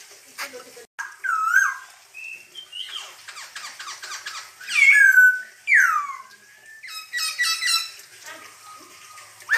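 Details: Masked laughingthrush, known locally as poksay hongkong, singing loudly and energetically: varied whistled notes, some slurred downward, others rising, broken by harsh rapid trills and short squeaky phrases, with irregular pauses.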